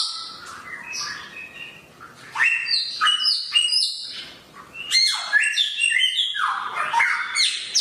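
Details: Samyong bird with a sharp voice, quieter scratchy notes at first, then loud bursts of sharp whistles and downward slurs repeated in quick succession.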